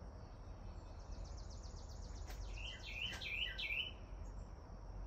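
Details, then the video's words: American robin nestlings being fed by their parents at the nest, Kingsport, Tennessee: a rapid train of faint high ticking notes, then three or four sharp rising chirps close together, over steady low background rumble. "Robins feeding their babies"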